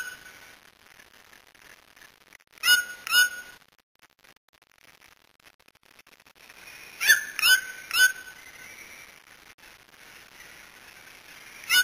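White-throated toucan giving short, sharp yelping notes in pairs and a triplet, spaced a few seconds apart, over a steady high insect drone.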